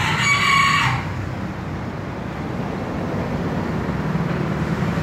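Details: Green junglefowl crowing: one harsh, hoarse crow of about a second right at the start, then a steady low rumbling hum for the rest of the clip.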